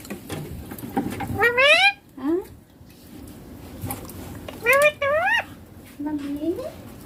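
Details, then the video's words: Talking baby ringneck parrot repeating "papa" and "mummy" in Hindi: bursts of two or three wavering, reedy syllables, the last one sliding upward, separated by soft pauses with faint room noise. "Baby ringneck parrot natural sounds papa mummy talking clear hindi"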